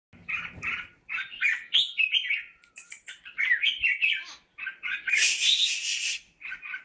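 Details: A single caged red-whiskered bulbul from Ba Vì, Vietnam, sings bright warbled chirping phrases in quick bursts separated by brief pauses. The song builds to a loud, harsh, buzzy burst near the end, with faint low noise at the start.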